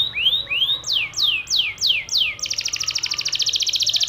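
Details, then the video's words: Yellow canary singing konslet: a low rising whistle, then five loud downslurred swoops about every third of a second, giving way to a fast, even, high buzzing trill. "Kenari kuning Konslet"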